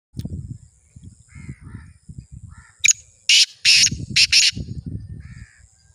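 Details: Black francolin (Francolinus francolinus) calling: a run of four loud, harsh, grating notes in quick succession, with softer low murmuring and a faint high whine in the background.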